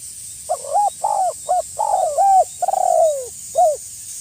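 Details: Tekukur, the spotted dove, luring a rival with a run of low coos: short hooted notes and longer falling ones, six phrases in about three seconds over a constant high hiss.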